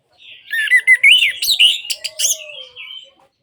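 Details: Orange-headed thrush singing a varied warble for getting quiet birds to sing again. Rising and falling whistles mix with sharp scratchy notes, reaching a loud peak midway before softer twittering closes the phrase.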